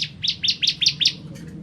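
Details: A short fast run of five or six high, chirping notes from the bar-winged prinia, kristal type, repeated about every fifth of a second, against a low hum.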